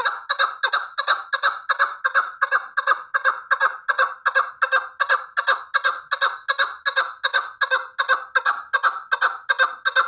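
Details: Chukar partridge kept for hunting, calling a long, even series of hoarse chuk notes, close to three per second, with no pause for ten seconds and no other sounds.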